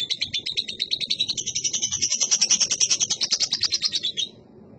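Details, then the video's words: Young lovebird singing in full voice: a fast, high, scratchy chattering trill of rapidly repeated notes for about four seconds, building slightly then stopping abruptly. "burung love bird anakan gacor"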